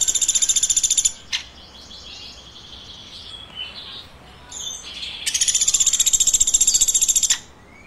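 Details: Woodpecker chirping, a fast run of high, rattling chirps, then a lull with soft faint twitters, then another two-second burst of quick, evenly spaced shrill chirps.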